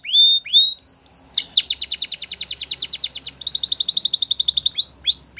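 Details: Belgian canary singing two rising whistles, then a fast loud rattling trill of repeated notes and a second, higher trill, finishing with rising whistled notes.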